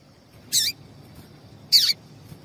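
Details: Two separate high calls from a female double-collared seedeater, a call said to make males sing, each a short bright note with a downward-sweeping tail, a little over a second apart.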